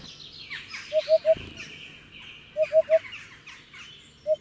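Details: A Hoopoe gives low, evenly spaced hoo-hoo-hoo calls in sets of three, about every one and a half seconds, over busy chirping of other birds.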